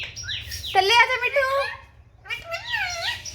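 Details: Pet Indian ringneck parakeet in a happy mood, enjoying the sun, talking: two bursts of speech-like parrot chatter with rich, stacked harmonics, a longer warbling phrase followed after a pause by a shorter rising-and-falling one.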